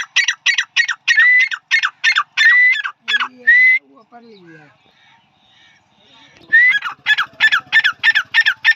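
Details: Male grey francolin (dhakhni tetar) delivering rapid rasping phrases with rising whistles, interrupted midway by a brief break filled with soft low-pitched sounds, then resuming at full volume.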